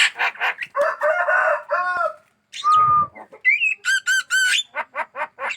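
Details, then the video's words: Black-winged myna, a caged bird singing actively and aggressive toward hands, gives a busy run of harsh chattering notes, then a flat sustained whistle with a rough buzz beneath it, followed by bright upslurred whistles and quick repeated chips. "burung jalak kebo gacor"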